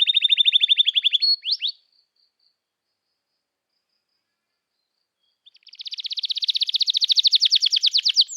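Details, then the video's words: Canary 'cuit cuit emosi' song, given as a lure for young canaries: a rapid trill and two sliding notes, then several seconds of silence, then a long, dense buzzy trill rising in loudness. "Kenari Gacor Panjang Cuit Cuit Emosi, Pancingan Kenari Paud Belajar Bunyi"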